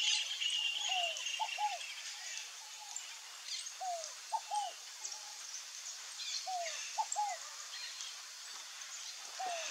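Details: Scaled dove, or rolinha-carijó, uttering its low three-syllable phrase, one falling note and two brief notes, roughly every two and a half seconds, with faint high chirping birds and steady hiss behind.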